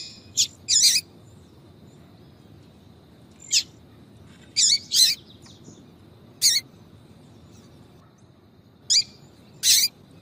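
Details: High chirping calls of a female yellow-bellied seedeater, used to attract males, come in pairs and short bursts spaced a couple of seconds apart, sharp and slightly buzzy.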